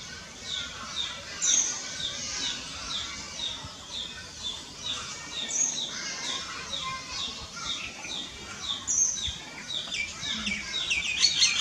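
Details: Common myna (Indian myna) calling: a steady run of short, sharp, high chirps and downslurred notes, with a few brighter squeaky whistles, over a soft constant background hiss.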